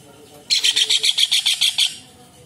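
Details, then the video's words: Rapid harsh chatter from a kingfisher, about ten evenly spaced rasping notes in under a second and a half, from a recording used to train songbirds. "TENGKEK UDANG / CEKAKAK GACOR / RAJA UDANG Masteran UNIK for murai c.ijo cendet kacer / kingfishers"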